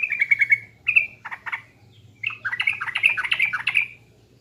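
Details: Pancingan lure song of a sooty-headed bulbul from East Java: a rapid rolling trill, a clear note and two short bursts, a brief gap, then an extended bubbly, warbling chatter.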